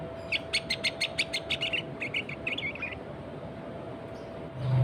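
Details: Sooty-headed bulbul sound offered as a lure for other bulbuls: a fast series of about a dozen short chattering notes, evenly spaced then blurring together, over a noisy background that ends in a low rumble.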